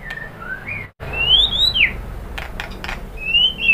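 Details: White-rumped shama singing to stir other birds to answer: clear, separate whistled notes, some rising and some sweeping down, with a short silent gap early on and a few sharp clicks among them.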